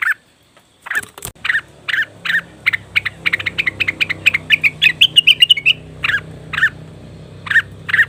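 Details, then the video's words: Cucak wilis (leafbird) call used as a lure for wild birds: loud chirps and trills repeated steadily, speeding into a rapid run of clear notes midway, over a low steady hum. "pancingan burung cucak wilis/rengganis dijamin langsung bunyi"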